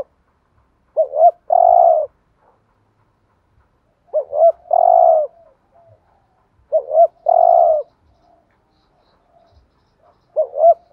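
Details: Spotted dove cooing in the thúc gù style, used as a decoy to stir other doves: repeated phrases of two short hooked notes and a long, steady, husky coo, about every three seconds, with silence between them.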